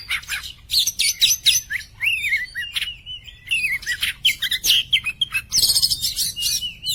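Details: Song of an Oriental magpie-robin, poci type, noted for a clear voice and played to teach other birds or spur a silent one; fast scratchy trills alternate with smooth rising-falling whistles, delivered in dense bursts.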